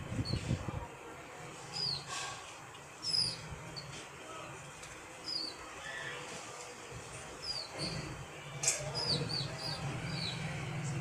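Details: Small pigeon chicks in the morning give short, thin, high chirps, scattered irregularly and sometimes in quick pairs, over a low rumbling background with occasional bumps and rustles.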